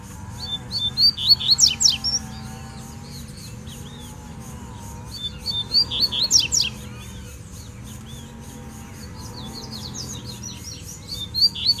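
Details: Double-collared seedeater singing in the wild, calling out a rival for a territorial fight: quick bursts of sharp, sweeping high notes recur every few seconds above a rhythmic pulsing drone and low rumble.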